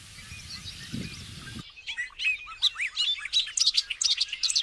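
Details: Many birds singing together, a dense stream of quick rising and falling chirps and twitters that grows louder and busier toward the end.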